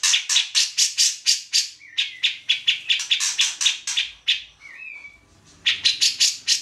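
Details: Grey-cheeked bulbul in full song for tutoring songbirds such as magpie-robins: a long run of loud harsh chattering notes about four per second, broken once by a short slurred whistle, then resuming.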